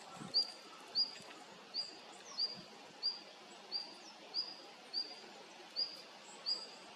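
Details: Female red-flanked bluetail giving a short, high upslurred call note, repeated roughly every 0.6 to 0.7 seconds in a steady series over a soft background hiss of outdoor ambience.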